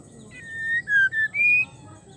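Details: Female white-rumped shama in breeding condition calling to a male: a short run of four clear whistled notes, level then dipping slightly, then rising to a higher sustained note, over a faint low hum.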